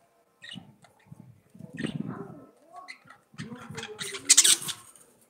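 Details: Budgerigars singing: a busy warble of low harmonic chattering notes, soft clicks and buzzy trills, ending in loud, sharp, hissing high bursts.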